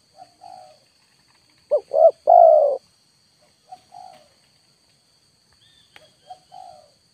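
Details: Spotted dove lure call. One loud phrase of two short notes and a long sloping coo, surrounded by soft, faint single coos before and after in quiet surroundings.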